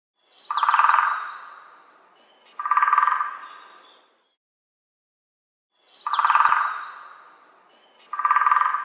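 A woodpecker hammers on wood in rapid rolls of taps, each lasting about a second and a half and fading away, with short pauses between bursts.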